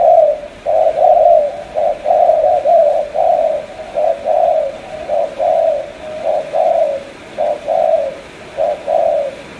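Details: Cà Mau spotted dove calling continuously with loud, low coos in short-long pairs, closely spaced and slightly uneven in rhythm.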